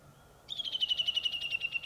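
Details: Japanese bush warbler singing at dawn from the top of a tall tree, not its usual low shrub perch: a fast, even trill of high pulsed notes lasting about 1.4 seconds over a quiet rural background.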